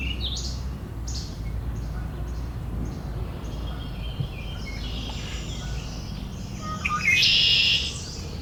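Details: Several Red-winged Blackbirds having an argument trade sharp, high chips about twice a second, then a harsh, buzzy outburst near the end, over a steady low rumble.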